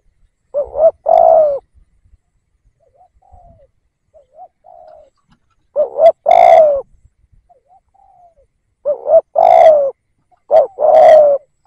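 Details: Decoy spotted dove calling to attract wild doves. Four cooing phrases are spaced irregularly, each a short double coo and a longer falling coo, with quiet soft coos in the gaps.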